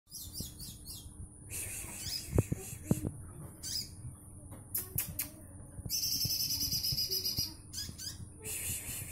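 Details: Olive-backed sunbird in full, active song with rapid dense bursts; high thin chirps and short twittering phrases, then a fast buzzy trill held for about one and a half seconds, over a steady low hum and background noise.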